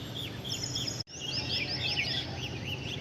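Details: Birds chirping briskly, a thin high trill and rapid tweets after a brief cut, over steady low environmental noise.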